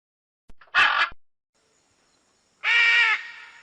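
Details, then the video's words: Macaw call: one rough, noisy squawk, then after a pause of over a second a longer, more tonal, nasal scream with clear harmonic bands, steady and flat in pitch. "SOM DA ARARA"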